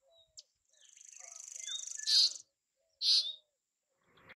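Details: Bay-backed shrike, resident in South Asia, delivering a rapid buzzy trill that runs into a loud harsh rasp, then a second rasp about a second later, with soft whistled notes scattered around.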